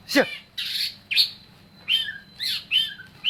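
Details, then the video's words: Oriental magpie-robin giving a few separated phrases: a sharp downward sweep, then buzzy and whistled notes with short gaps between them. "KACER Gacor Dorr"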